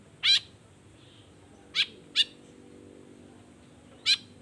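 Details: Spaced harsh chips from a Long-tailed shrike, a lure sound to set off other shrikes: four sharp notes, two close together, with long quiet gaps between and faint hum behind.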